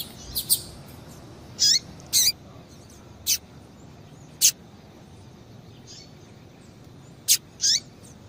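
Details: Female double-collared seedeater calls meant to get males singing: sparse high notes, some brief sharp clicks and some longer with a falling curve, spaced irregularly across eight seconds against steady low hiss.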